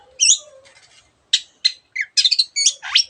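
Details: Long-tailed shrike (Lanius schach) singing a varied, fast medley of sharp high chirps, scratchy buzzes and squeaky whistled phrases, with faint low notes underneath.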